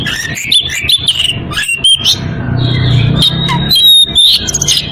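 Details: Oriental magpie-robin in breeding condition calling a rival: loud whistled notes and sliding phrases, some rising sharply, with short chirps and a long steady whistle near the end, over a low continuous hum.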